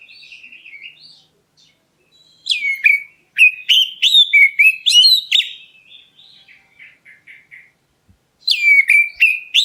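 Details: Black-breasted Oriental magpie-robin calling to provoke answers: soft warbled notes, then a fast series of loud downslurred whistles, quieter chattering notes, and another loud whistled burst near the end.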